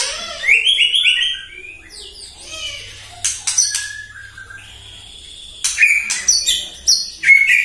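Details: White-rumped shama morning song used to provoke other birds: clear whistled notes and sweeping slides, some sharp bursts, echoing through a low steady hum.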